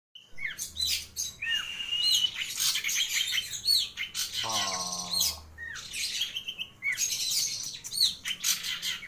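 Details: Long-tailed shrike singing actively with abundant complete fill-in phrases: varied high chirps and whistled slurs, a steady whistled note near the start, and a brief low buzzy harmonic burst in the middle.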